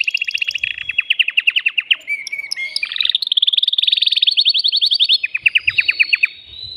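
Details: Male canary song meant to arouse a female for breeding: fast chopped trills, a short whistled phrase, then a long even rattle of rapid high notes and a final descending trill run.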